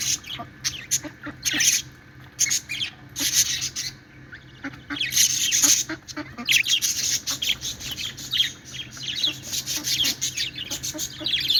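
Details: Budgies at play keep up a long, lively stream of high, buzzy chirps and warbled chatter, loud clusters alternating with short quieter stretches.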